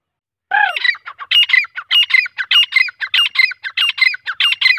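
Grey francolin giving loud, harsh, high-pitched notes in quick ringing phrases, repeated about one and a half times a second without pause.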